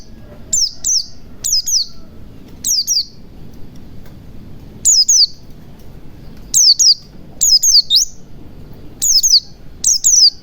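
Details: White-eye song played to prompt silent birds into singing: bright, high, downslurred chirps in short clusters, about eleven bursts, with a longer pause in the middle and a low background hum.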